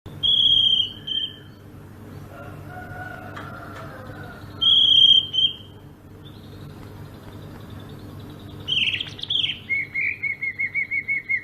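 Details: Greater green leafbird from Sumatra, a wild-caught species noted for taming easily, giving a rolling ngerol song: clear high whistled notes, a scratchy burst, then a rapid run of about eight even chirps; faint insect hum below.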